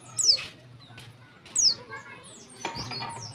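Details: Female warbling white-eye calling to prompt males to sing: two thin, high, descending whistled notes about 1.4 seconds apart, then fainter high chirps over a low steady hum and soft background noise.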